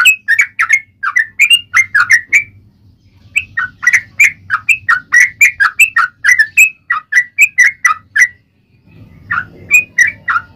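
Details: Long ropel panjang singing by a yellow-vented bulbul: a fast, gurgling series of short whistled notes over several seconds, a short pause, then a few more notes. A faint low hum runs underneath.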